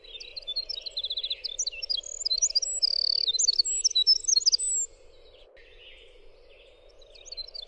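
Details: Rapid, high Winter wren song of scattered chips and tinkling notes with a short buzzy trill, ending abruptly before a quiet stretch, a constant low hum beneath.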